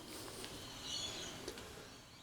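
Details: A flock of thousands of rainbow lorikeets heard outside an open window, calling near-constantly from before dawn to dusk in December 2020, makes a wash of shrill, screechy chatter, with a few thin high notes rising above the din.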